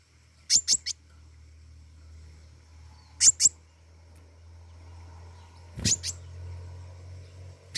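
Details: Flowerpecker known locally as pentis raja singing energetically: crisp high double ticks repeated roughly every two and a half seconds against a constant low humming background.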